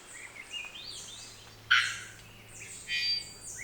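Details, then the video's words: A male Black-faced Solitaire, half hidden in Costa Rican cloud forest vegetation, sings to keep contact with his partner: thin, high, flute-like phrases with sliding whistles and a few brighter metallic notes, over a faint low hum. "den här hanen sjunger för att hålla kontakten med sin partner."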